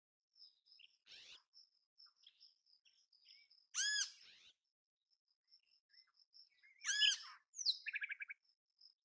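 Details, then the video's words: ['Great kiskadee in natural habitat: two loud, harsh, arched notes with rich harmonics about three seconds apart, over a steady high insect-like whine and soft chirps from other birds, then a brief buzzy trill.'] "Grande Canção Kiskadee! Grande Canto Kiskadee! Ótimos sons de Kiskadee! Grande Chamada Kiskadee!"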